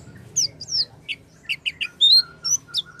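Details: Oriental white-eye sounds used to coax a silent white-eye into song: scattered high slurred whistles and short chirps, a bright rising whistle near the middle, then more brief high notes.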